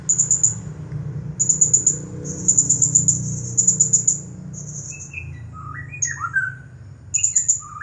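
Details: Nonstop 'nagih hutang' style song of a champion blue-crowned hanging parrot: rapid strings of shrill, very high chirps in dense bursts, then lower rising and falling whistles from another bird near the end.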